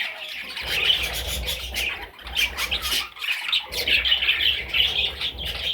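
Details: Loud, grating squawks from parrot chicks pour out in overlapping bursts, with a low rumble running beneath most of the calling.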